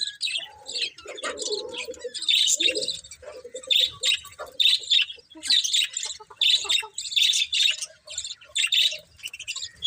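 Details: Budgies chirping in loud repeated bursts of bright, squeaky warbling, each phrase about half a second long, with quick chatter in between.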